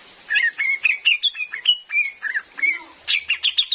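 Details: Female cream-vented bulbul, a recording used as a lure for trapping this bulbul in forest: a lively run of short chirped and slurred whistled notes, about four per second, rising toward the end into quicker, higher chirps.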